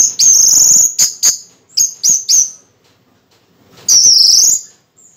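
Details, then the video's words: Orange-headed thrush in the middle of its moult producing piercing high sustained whistles and brief clipped notes, with a pause before one long wavering whistle. "anis merah 3 detik langsung bunyi"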